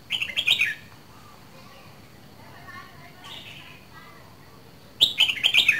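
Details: A red-whiskered bulbul from Dak Lak, two seasons old, gives two loud bursts of rich, warbling song, one at the start and one at the end, with softer chirps in the quieter stretch between.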